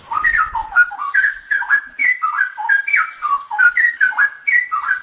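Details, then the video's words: Noise-edited straw-headed bulbul song: fast, bubbling sequence of clear fluty whistles, each note sliding up or down, packed closely into a lively warble. "suara burung cucakrowo"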